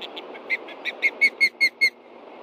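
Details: Alarmed osprey at a Hellgate nest in Montana, 30 June 2013, late morning, as adults respond to a threat below: a short series of piercing whistled cheeps growing louder, about seven notes in two seconds.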